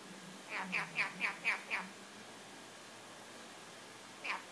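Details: A happy pet male red-collared lorikeet indoors repeating words, including Farsi 'Bea' ('come over here'), in six quick, high, speech-like syllables in little more than a second, then one more after a pause, over a low indoor hum.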